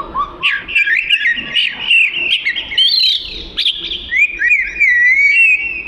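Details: Oriental magpie-robin (kacer) song used as training material for other birds: rising whistles open a fast, varied warble of slurred and looping notes, closing with a long sweet whistled phrase.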